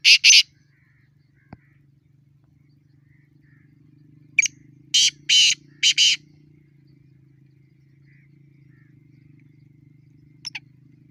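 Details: Black francolin (kala teetar) in the wild, calling in a fight or challenge: harsh rasping bursts, a clipped note followed by three buzzy grating syllables, over a faint low steady hum.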